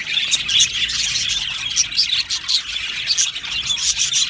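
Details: Many budgerigars chattering together in an aviary colony, a steady wash of high chirps and twittering with no pauses.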